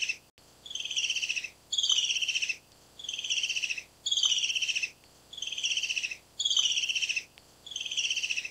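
Black-capped Kingfisher giving shrill, rapid rattling chatters, seven bursts under a second long each, repeated steadily about every second and a half.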